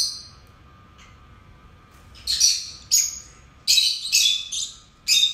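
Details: Pet lovebird pair singing, a faint opening chirp followed by a string of loud, shrill, scratchy bursts and squeaks coming in quick succession toward the end.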